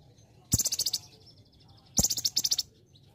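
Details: Olive-backed sunbird in a training recording for other birds. Two short, rapid high chattering trills, each under a second long and about a second and a half apart, over a low hum.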